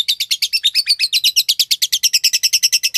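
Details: A green Fischer's lovebird sings a continuous, fast, buzzy chatter of rasping high notes, about eight per second, that wavers slightly in pitch throughout.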